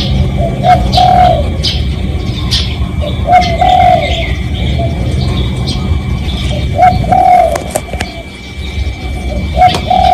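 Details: Lure call of a spotted dove, used to attract other doves and recorded for real: soft, hollow two-part coos repeated in phrases every few seconds over continuous low background rumble, a faint steady tone, and occasional sharp high chirps from other birds.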